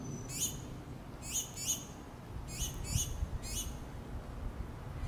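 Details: Baby finches begging their mother for food, a series of loud, high, rising chirps, often in quick pairs, about six bursts over five seconds, with low background rumble.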